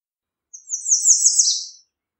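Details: One American redstart song: rapid, piercingly high notes that grow louder and end with a slightly lower, downslurred finish, against silence.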